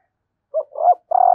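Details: Female spotted dove calling to stimulate males: a short low coo, a wavering middle note, then a long steady drawn-out coo, all mellow and low-pitched, in quiet surroundings.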